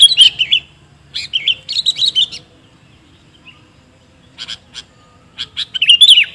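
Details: Sooty-headed bulbul lure song: clusters of bright, liquid warbled notes at the start, a long quiet gap, then short clicks and another fluttering burst of whistles, with a faint low hum underneath.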